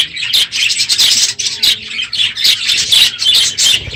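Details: A large group of aviary budgerigars calling on a noisy morning late in the breeding season: bright, high chirps and chatter packed closely together in waves.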